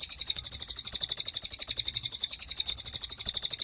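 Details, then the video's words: Cililin in tembakan style, a very clear, sharp training recording for white-rumped shama and other songbirds: a rapid, steady string of high, bright, ringing notes, about four per second, with no other sounds. "MASTERAN TEMBAKAN CILILIN GACOR DOR,SUPER JERNIH & TAJAM"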